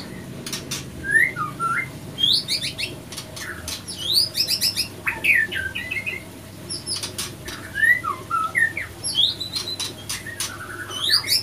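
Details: White-rumped shama pair in conflict after a failed pairing; repeated bursts of short whistled slurs and squeaks between sharp clicking and fluttering sounds throughout.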